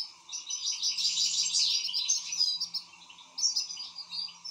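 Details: Excited European goldfinch pouring out a dense, continuous twittering chatter, loudest in the middle, over a noticeable low hum.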